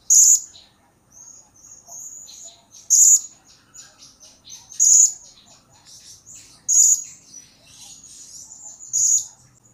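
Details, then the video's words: Blue-crowned hanging parrot calling actively, a recording offered as a lure to draw replies from other birds: thin, very high shrill notes, loud bursts about every two seconds with softer twittering between, quiet background. "Pancingan Suara Serindit Gacor Pasti Nyaut !!!"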